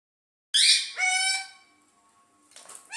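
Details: Green parrot talking in front of a mirror: a loud harmonic-rich squawky utterance with stacked bands, a lower drawn-out tone, then quiet before rising squeaky notes return at the end.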